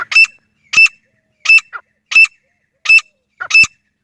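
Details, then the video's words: Loud, harsh grey francolin notes, some doubled, repeated roughly every two-thirds of a second in a steady series of six, with silence in between. "Grey Francolin Call | Voice Best for Hunting | Desi Teeter ki Awaz"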